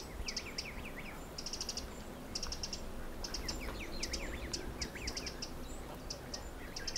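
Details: Little grebe family, adults with a couple of chicks, in the dunes of Egmond, Netherlands, both adults busy gathering food; high thin peeps come in quick bursts of three to six, mixed with lower chirps and soft background hiss.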